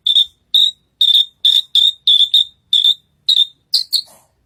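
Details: On a contest stage, a Horsfield's bushlark sings a steady string of ten short, bright chirps, evenly spaced, ending with two higher, sharper notes and a soft fading tail.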